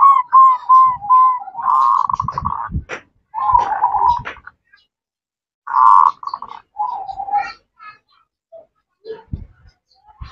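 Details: Female zebra dove calling a male in ngerot, nretek and manggung styles, giving short repeated coo-like notes at first, then rough rolling bursts and a purring phrase, separated by short pauses and quiet gaps.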